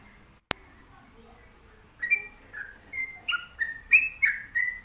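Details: Sooty-headed bulbul kept at home: after a sharp click, a series of bright slurred whistles begins, rising and falling notes repeated roughly three per second, growing louder toward the end.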